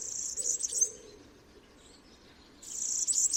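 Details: Song of a European Serin, two bursts of very high, rapid, liquid twittering separated by a pause of nearly two seconds, with a soft low background hum.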